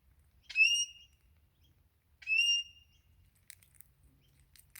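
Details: Wild crimson rosella, a morning visitor calling as if asking for food before taking sunflower seeds from a hand. Two loud whistles with a quick upward sweep and a steady held tone, nearly two seconds apart, then faint clicking taps.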